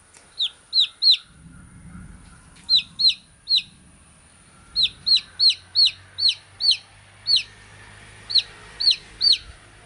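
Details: Baby chick giving clear, high, down-slurred peeps in short runs of two to five, separated by pauses, over faint low background hum.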